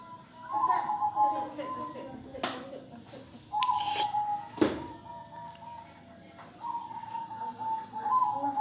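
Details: Local zebra dove giving kong-style trilled coos in several phrases, mixed with speech, clicks and knocking noises nearby.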